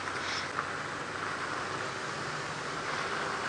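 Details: Steady vehicle engine hum with faint rustling on an early-morning safari drive, no animal voices heard.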